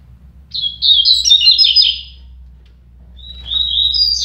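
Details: Double-collared seedeater singing during a song dispute between two birds: a rapid, chattering high warble lasting over a second, a pause, then a new phrase starting with thin rising whistles.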